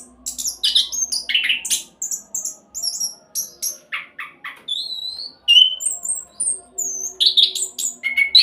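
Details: Rolling speed song of an orange-headed thrush used to prompt other birds to sing: busy chattering bursts, clear slurred whistles and sweeping mimic-like phrases, varied and nearly continuous, faint low hum.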